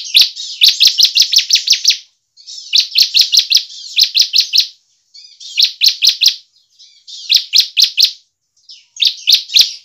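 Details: Bar-winged prinia in vigorous song, used as a lure to make other prinias sing: long bursts of fast, evenly spaced sharp high ticks over a buzzy wash, repeated in phrases with short pauses.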